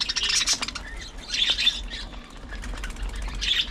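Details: Early morning feeding time for budgerigars: scratchy squawks and brief whistled chirps in clusters, with a gap of softer chatter between.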